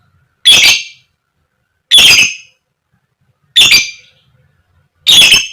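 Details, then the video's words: Female fighter lovebird in koek koek style, used to lure other lovebirds into singing: four loud, harsh, raspy squawks, each sharply cut off and spaced about one and a half seconds apart, with silence between. "Pancingan Lovebird Betina Biar Cepat Gacor, Lb Koek Koek, Lovebird Chirping Sound"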